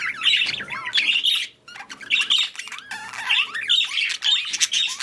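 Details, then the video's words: Budgies calling during mating and breeding: loud grating squawks and warbling chirps in bursts roughly once a second, with a short silent gap early on. "Budgies / parakeets | Mating / Breeding"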